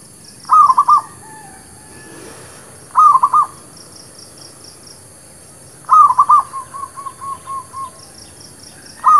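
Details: Zebra dove, a local village bird, singing as a lure for catching and training new birds: quick clusters of clipped coos every few seconds, one phrase trailing into a run of evenly spaced softer notes, with faint high pulsing behind.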